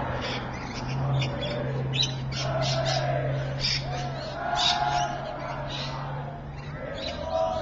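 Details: Afternoon rainbow lorikeet calls at Evans Head, 26 May 2012, 3:45 PM: repeated rasping squawks and chattering bursts with short gaps, a few lower whistled notes mixed in, over a steady low mechanical hum.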